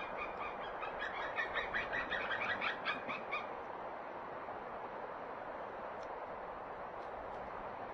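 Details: White-tailed eagles in Norway calling as they come to the nest, 5 November 2016 in late afternoon; a rapid series of yelping notes for about three seconds, then fading, over constant broadband wind-like noise.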